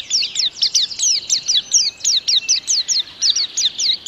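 A white-eye sings a fast, continuous run of high, thin, sweeping notes, several per second, with no pauses and no other sounds.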